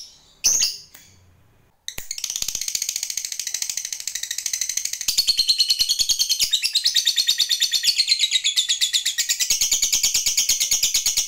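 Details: Lovebird, a fighter type, giving a long ngekek trill used to provoke other lovebirds into singing: a fast, high, buzzy chatter of rapid repeated notes running continuously for about nine seconds after a couple of sharp opening squeaks.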